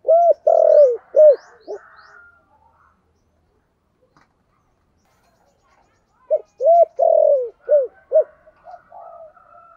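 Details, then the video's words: Spotted dove, giọng thổ song style: a low cooing phrase, a long silent gap, then another phrase of short and drawn coos, with faint high chirps. "chim cu gáy giọng thổ"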